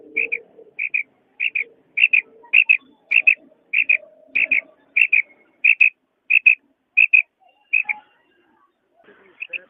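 A female quail gives high, sharp paired notes, repeated steadily about every half second, with faint low background murmurs underneath.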